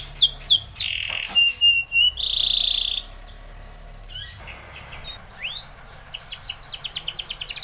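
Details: Training song of a Spanish Timbrado canary, opening with quick falling notes, then a low buzzy roll and a bright held whistle, a single upswept note, and a closing run of rapid, even clicks.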